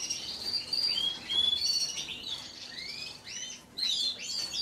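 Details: Belgian Frill canary song with slurred whistled notes, rising sweeps and short chattering phrases separated by brief pauses, quiet hiss behind.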